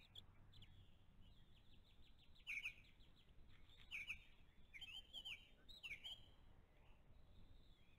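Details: Bald eagle eaglets, five weeks old, calling at their nest during a late-April breakfast feeding; clusters of high, thin squeaky chips and whistles sound in bursts, louder around the middle, above a steady low hum.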